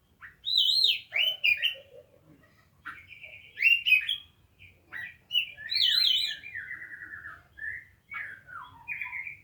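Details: Oriental magpie-robin singing a rich, varied song of bright whistled phrases, fast wavering warbles and short chattering trills, delivered in bursts with brief pauses between, over a faint low hum.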